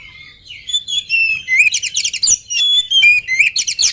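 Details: Oriental magpie-robin in vigorous form before feeding: varied whistles sliding upward, then dense buzzy trills and chirps, steady stream of loud song with brief gaps.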